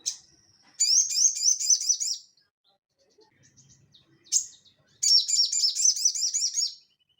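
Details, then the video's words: Actively singing Crested jay, its ngeleper song used to train cage birds: two long, fast rattling phrases of repeated high buzzy notes, each opened by a sharp high note, separated by a quiet gap. "SOGON GACOR NGELEPER UNTUK PANCINGAN BUNYI ATAU MASTERAN"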